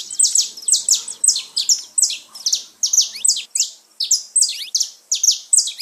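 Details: Saffron finch song played for pet birds: loud, continuous series of buzzy, downward-sweeping notes and chirps, delivered several per second with hardly a break.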